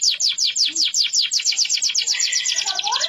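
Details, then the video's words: A deep-yellow canary in full song gives a long, fast rolling trill of high sliding notes, about ten per second, running into a denser buzzy stretch and ending with a few lower warbled notes. "kenari kuning pekat gacor ngerol panjang sampe aus"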